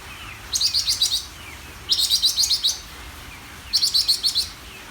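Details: Greater green leafbird song: three bursts of rapid, high metallic chips, six or seven notes each, repeated roughly every one and a half seconds, with faint slurred notes between them.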